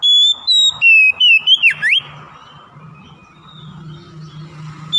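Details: Oriental magpie-robin song used as a lure to coax silent, lazy captive birds into singing: a quick run of about seven clear, high whistled notes stepping up and down, ending in a sharp downward sweep, then low hum and quiet.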